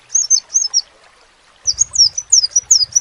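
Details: Crimson sunbird, a caged bird kept for song, giving high, thin chirps that dip and flick, sounding in two short bursts with a pause between, with a low hum underneath.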